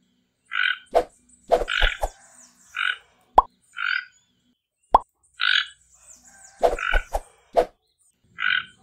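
A toco toucan gives hoarse, frog-like croaks, about one a second in short bursts, mixed with sharp knocking clicks.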